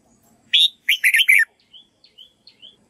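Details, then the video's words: Bulbul, red-whiskered, rehearsing its voice as a model for white-cheeked birds: a loud clipped note, then a fast tumbling whistled phrase, followed by faint thin high notes. "Chào mào luyện giọng cực hay để ép chim má trắng học giọng"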